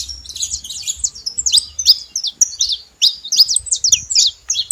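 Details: Bright, scratchy high chirps from saffron finch, tumbling in quick clusters of up-and-down slurred notes with short gaps, over a faint low hum.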